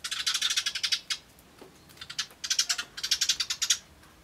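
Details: Several Eurasian tree sparrows chirping as they eat at a bird table, 24 May 2013: rapid strings of bright 'tyutyutyu' notes, broken by short pauses into three or four bursts.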